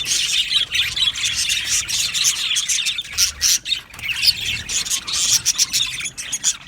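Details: Many budgerigars in an aviary colony squawk and chirp together in harsh, scratchy bursts of warbling chatter, pausing briefly around the middle before the chorus surges again.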